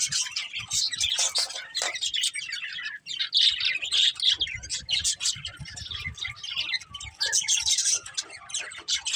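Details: Budgerigars chatter in bursts of sharp high tweets and squeaks, the flock noise dipping briefly near the three-second mark before resuming.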